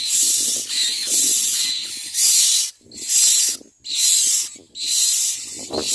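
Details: Baby common myna chicks in the nest wait for their mother to bring food and beg with harsh, raspy hissing bursts, each about a second long, repeated roughly once a second with brief pauses between.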